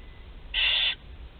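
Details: Young barn owl at a nest of four chicks being fed, Théding, 16 July 2020: a single loud, breathy screech lasting under half a second, then quiet.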